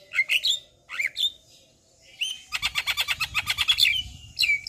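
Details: Javan myna in full-fill lure song: a few twisting whistles, a short pause, then a rapid rattling chatter of clicking notes laced with high whistles.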